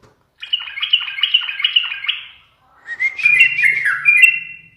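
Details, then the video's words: Pet yellow-vented bulbul, singing more readily when its owner teases it, delivers a run of chattering warbled notes, a short break, then a richer tumbling whistled phrase over a low hum. "TRUCUKAN sering di goda menjadikan burung semakin gacor dan bermental baja"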